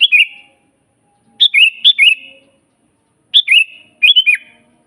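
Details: Kutilang (sooty-headed bulbul) in vigorous wild song, a master recording for training and luring: four rollicking whistled phrases, the middle ones paired closely, each a fast bubbling run of clear notes.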